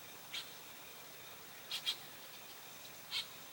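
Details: Red-headed woodpecker at Morgans Point on July 10, 2025, giving short, scratchy high notes, four in under four seconds with a quick pair in the middle, over a soft hiss.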